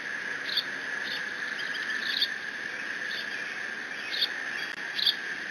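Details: Young bald eagle in the Decorah nest, 30 June 2017, mantling a fish its father just brought and squeeing; sharp high chips come singly and in pairs at irregular intervals over a constant background whine.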